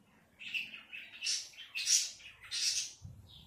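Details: Robin in a backyard during a June 2024 evening, giving short high twittering phrases in bursts roughly every half second, bright and slightly squeaky, with a faint low rumble at the end.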